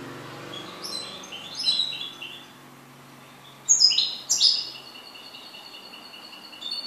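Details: Goldfinch song with scattered sharp, upward-sweeping chirps and short twitters, two loud bursts of buzzy trilling in the middle, then a steady run of fine, repeated ringing notes.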